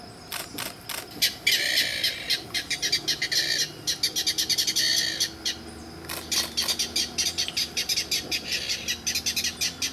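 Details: Mangrove Rail in Peruíbe on 13 July gives loud, dry, clattering calls, rapid harsh notes in bursts of about three per second, answering a guide's call and approaching him; faint background noise.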